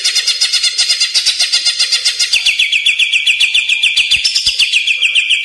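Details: Greater green leafbird singing energetically, a recording used as lure and master song for caged birds: a rapid, unbroken series of sharp pulsed notes, about four a second, sliding slightly lower through a bright rattling trill.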